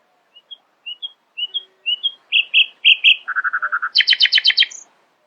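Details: Early-morning nightingale phrase: paired soft notes climb in volume, then a rapid lower rattle, then a loud high pulsed trill ending with one thin high note.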